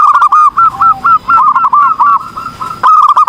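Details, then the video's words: Zebra dove in full song: a fast, rolling series of crisp, bubbling coos, notes tumbling quickly one after another through the phrase, ending in a brief pause then a fresh burst. "PERKUTUT GACOR || COCOK UNTUK MASTERAN || SUARA BURUNG PERKUTUT"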